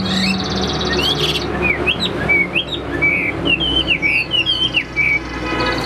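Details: A hwamei kept in a cage, roughly 85% tame, starts with a buzzy trill, then gives a lively string of short whistled slurs. Some rise, some fall, with small pauses between them.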